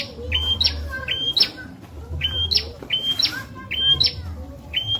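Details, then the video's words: Tutor song of a bar-winged prinia for murai and ijo birds: a run of piercing whistled notes, each rising into a sharp high tip, repeated briskly about twice a second, with low humming underneath. "Burung Prenjak Masteran Viral Buat Murai & Ijo"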